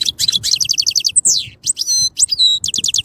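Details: European goldfinch song full of rapid repeated chips, a long descending whistled slur and several sustained bright liquid notes, delivered in a quick, varied, twittering stream.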